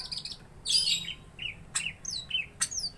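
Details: Greater green leafbird singing vigorously in a fighting mood to provoke rivals: bright high slurred whistles, some sweeping down, others short and upturned, broken by sharp loud clicks or snaps.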